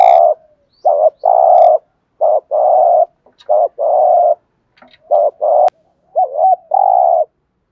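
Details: Decoy spotted dove giving urgent cooing songs: crisp short notes each followed by a longer hollow coo, about four pairs in close sequence, with a few low warbled notes near the end.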